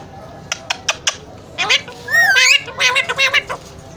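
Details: A talking Alexandrine parakeet makes a run of sharp clicks, then harsh, speech-like harmonic squawks, a rising and falling whistle, and several more rasping syllables over a steady low hum.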